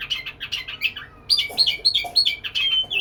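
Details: Courting white-rumped shama in a cage, giving a quick chattering run, a brief pause, then a series of repeated bright whistled notes at about three per second, ending on a long high whistle.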